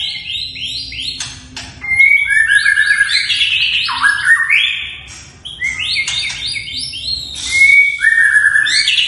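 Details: Long-tailed white-rumped shama kept in a cage, singing vigorously with sharp bursts and varied fill-ins: a continuous flow of loud, rich whistled phrases, quick upward and downward sweeps and crisp chattering notes, with only brief pauses between runs.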